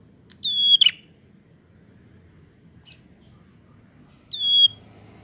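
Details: Prinia song played to provoke other prinias: two whistled phrases, each a level high whistle ending in a harsh buzzy burst, separated by a long pause with one faint chip.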